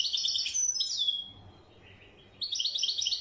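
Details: Wedyani goldfinch song: a quick run of sparkling high twitters closing on a drawn-out falling whistle, a second of quiet, then another twittering phrase starting.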